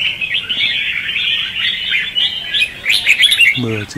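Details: Lure song of red-whiskered bulbuls, "ché" and "xòe" competitive style, played for trapping. Steady twittering warble building to sharper ringing notes in the last second, with a brief low voiced sound at the close.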